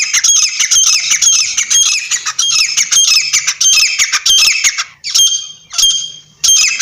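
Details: Partridge giving harsh, rasping notes in a dense, uneven series, several per second, with a brief pause before short bursts resume.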